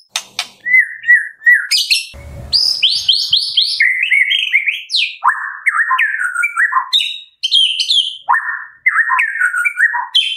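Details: White-rumped shama singing from morning to afternoon, used as a lure to get other shamas singing: a rich, varied song of clear whistles, rising slurs and quick chattering phrases, nearly nonstop with brief pauses.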